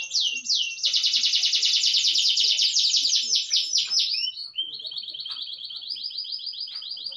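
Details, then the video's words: Canary singing a long rolling song indoors, day or night: a loud rapid trill lasting about four seconds with sweeping notes near its end, followed by a softer, steady, even-paced trill. "KENARI GACOR NGEROL PANJANG waloupun di dalam ruangan"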